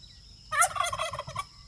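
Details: Pastured domestic turkey foraging on an off-grid free-range homestead gives a single loud, rapid gobble, a burst of bubbling, warbling notes lasting about one second after a quiet start, over faint low background rumble.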